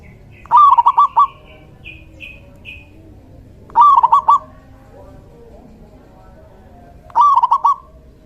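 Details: Male local zebra dove, kept as a cage bird and used as a decoy to lure other doves, singing a short rolling coo phrase of a slurred note and quick trills, repeated about every three seconds; faint soft chirps between phrases.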